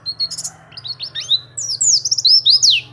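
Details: Oriental white-eye in lively song for tutoring or luring birds: short high chirps and rising slurred whistles build into a loud run of fast descending twittered notes, over a steady low electrical hum.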